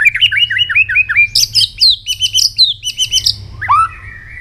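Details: Morning voice-training song of a White-rumped shama, a fast run of clear whistled notes, then repeated bright chopped notes climbing higher, ending in one lower slurred whistle.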